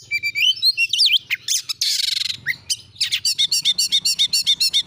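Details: Oriental magpie-robin lure song in the 'nembak' style, aimed at getting other magpie-robins to sing; whistled phrases and a harsh buzzy rasp, then quick regular chattering notes over a faint low hum.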